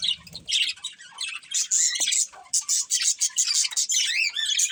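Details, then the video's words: Colourful pet budgies chirping: loud, high, rapid chirps and warbled squeaks in quick succession, with a brief low sound at the start. "Cute Colourful Budgies Chirping Sounds | Love Birds Breeding Pair | Budgies Singing"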